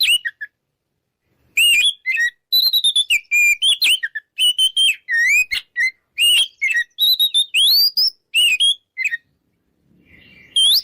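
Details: Loud ngeplong song of an Oriental magpie-robin, used to make opponent birds want to fight. A varied stream of clear whistles, upslurs and crisp chirps fills most of the clip, ending with a brief pause and a final rising whistle.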